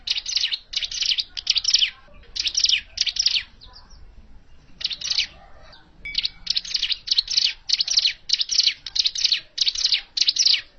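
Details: Hill prinia calling, a natural call used to lure birds for trapping: loud harsh high chips repeated nearly twice a second in long runs, with a brief pause midway.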